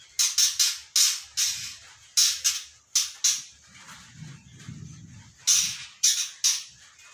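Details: Three-month-old juvenile white-rumped shama practising its song: short bright high bursts in clusters, pauses between groups, faint low murmur in the gaps.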